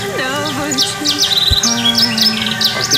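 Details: Several budgerigars (kept male parakeets about 3–5 years old) chatter back and forth in a fast, loud mix of high chirps and squeaky warbled notes, one answering another, with a man's voice and low tonal sounds underneath. These birds call in the morning, in the evening and when fed.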